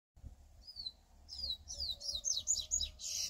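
A Double-collared Seedeater sings a fast, high, twittering run of chirps and warbled notes that grows louder and denser, over a steady low hum.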